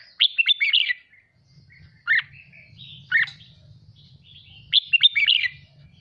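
A red-whiskered bulbul sings bright, rapid bursts of three or four chirpy notes, with single sharp notes in between; a low rumble runs underneath.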